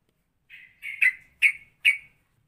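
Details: Ropelan variation of straw-headed bulbul song, a mix likened to cucak rowo and cucak jowo: four loud, short, slightly harsh whistled notes, evenly spaced about half a second apart, in a quiet background.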